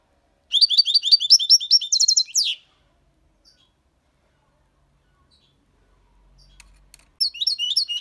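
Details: European goldfinch, six months old, singing clean Malaga copy song with colios, quejas and ornaments. A long run of fast, twittering high notes ends in a downward slur. Silence follows, then another twittering phrase starts.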